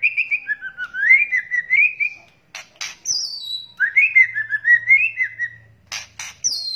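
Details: White-rumped shama, male and female, in a trapping lure recording with kretekan calls: a run of varied whistled notes sliding up and down, broken by loud harsh rasping bursts, then another whistled phrase rising and falling.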